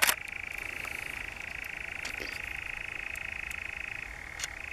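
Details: In the Brecks, Norfolk, during July 2017, a European nightjar gives a long rattling churr at a constant pitch, ending with a small drop, after a sharp click at the start.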